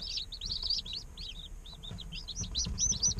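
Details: Several day-old chicks chirping in an incubator, a continuous jumble of high arching peeps, loud and overlapping throughout, over low muffled rumble.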